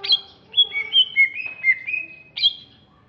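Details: Greater green leafbird of Alas Purwo, Banyuwangi, East Java, sings a clear sequence of pure whistles stepping down in pitch, with short level notes between, ending in one bright rising-falling whistle.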